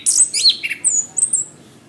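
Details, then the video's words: Orange-headed thrush, song for tutoring caged birds: a quick run of varied whistles and scratchy high notes, ending in thin very high slurs, quiet background. "Suara Anis kembang | Masteran | Bunyi burung"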